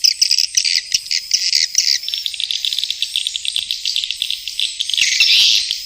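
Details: A swiftlet gives a few loud, clipped chirps, followed by quicker, softer chattering and a final dense burst of high twittering.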